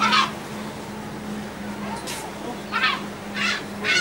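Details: Seagulls being fed aboard a ferry from the Dutch island of Texel on 28 March 2014: scattered short squawks, a few seconds apart, against a steady low engine rumble.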